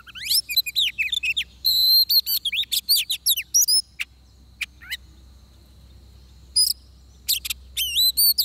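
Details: Oriental magpie-robin singing during bird trapping in Vietnam, a decoy bird in fighting song: bursts of high, clear, sweeping whistles and quick chirps for three seconds, scattered single sharp notes, then a renewed burst of rising, looping whistles; faint low hum beneath.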